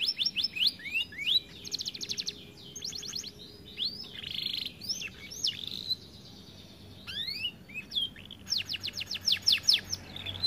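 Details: Canary, said to sing little because it is overweight, runs through varied tours: quick repeated sweeps, dense high trills and warbles, a brief quiet gap, then a closing burst of rapid rolling notes.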